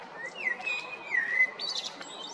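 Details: Male blackbird from Zagreb, Croatia (Jarun or Prečko, April–May 2022): two smooth, falling, flute-like whistles, followed by a brief high, scratchy flourish.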